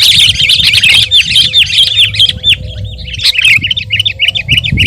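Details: Lively sooty-headed bulbul song used to tutor and provoke other birds: rapid run of rich curved chirps, dense and busy at first, then a steadier string of looping notes, over faint low rumble.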